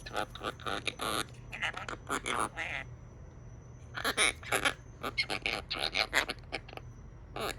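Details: Pet Quaker parrot chattering in a rapid stream of short buzzy, vowel-like syllables and squeaks, grouped in bursts with brief pauses, indoors with laughter from people nearby.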